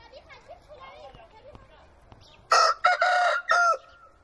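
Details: A domestic rooster crows loudly in a harsh, broken series of bursts, ending on a drawn-out held note.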